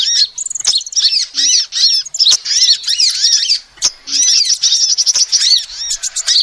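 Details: Female sunbird voice serving as a lure: quick, thin chirps rising and dipping in pitch, run together in long busy phrases broken by a brief gap, with a few sharp ticks.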